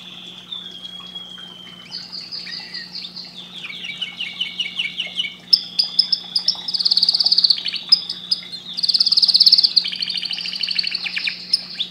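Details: Extended canary song: a long whistled note, then rapid trills and dense buzzy rolls changing pitch every few seconds, over a faint steady hum.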